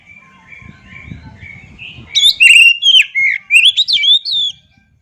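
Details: Faint, quiet warbling from an oriental magpie-robin (kacer) swells into a loud, fast phrase of ringing whistles and sharp chips with rapid pitch jumps, then stops.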